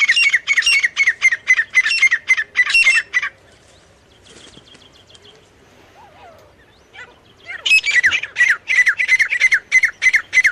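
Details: Male and female partridge (teetar) calling in loud, rhythmic, rasping notes repeated several times a second. A quiet spell in the middle holds faint other sounds before the calling resumes just as strongly.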